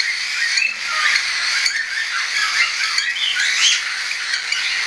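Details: Several young hand-tame cockatiels, 10 September 2012, some self-feeding and some still being fed, in flight: a dense, unbroken chorus of shrill, scratchy squawks and short upslurred chirps.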